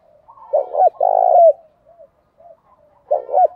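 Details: Spotted dove cooing to stir other doves into cooing and fighting: low, hollow, throaty coos in quick paired notes, then a longer purring coo, a short pause, and another pair of coos; quiet soft murmurs between phrases.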